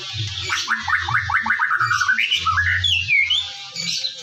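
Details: White-rumped shama singing in the morning, a lure to make shamas sing actively: quick run of about eight rising whistled notes, then sliding clear whistles, over a constant low hum.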